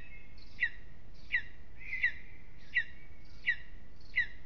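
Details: Lesser spotted eagle at its nest in an aspen at Aizkuja, Latvia, on a restless evening: six short, sharp, yelping notes repeated about every 0.7 seconds, steady and evenly spaced, over a quiet background.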